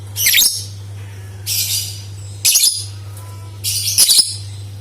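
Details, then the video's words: Lovebird sound for coaxing other lovebirds into song: four bursts of harsh, high rasping chatter spread over five seconds, with a faint thin whistle between them and an ongoing low hum. "Suara Burung Lovebird Untuk Pancingan | Dijamin 100 % Suara Pancingan Lovebird Gacor"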